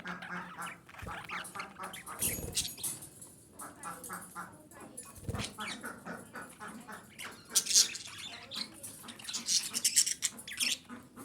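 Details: Female budgerigar calling for breeding stimulation: continuous, busy warble of buzzy, clicking and squeaky notes, growing louder with shrill squeaks near the end.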